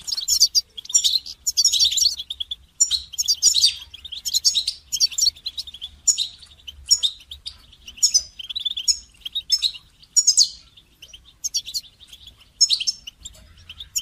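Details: Goldfinch song for song training of songbirds: a high, rapid twittering of chirps and buzzy trills in dense bursts, broken by short pauses through the whole stretch.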